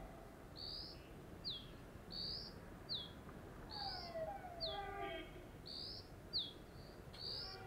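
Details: A Dark-grey bush chat perched on a deodar twig in the western Himalaya, Jabbarkhet sanctuary, keeps up a steady loud call: high whistle and down-slurred note alternating about every half second, with softer lower bird chirps midway.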